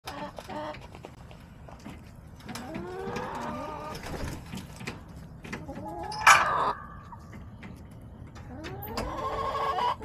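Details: Backyard chickens in October, hens clucking with rising drawn-out calls and a louder squawk midway, amid scattered clicks and low rumbling background noise.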